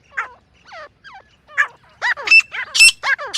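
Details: Female grey francolin calls used for hunting in jungle: sparse hoarse downslurred notes at first, then a quickening run of louder, shriller harmonic calls, some very high and piercing.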